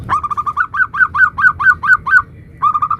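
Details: Zebra dove, local type, 'nutut' song variation for luring other doves: a fast run of cooing notes that rise slightly in pitch and slow, a pause, then another quick run.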